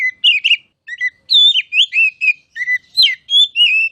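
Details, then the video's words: Masteran song of the oriental magpie-robin, or kacer: sweet whistled phrases alternating with sharp upward slurs and short chattered notes, steady and loud throughout. "KICAU MASTERAN KACER CALON JUARA!!!"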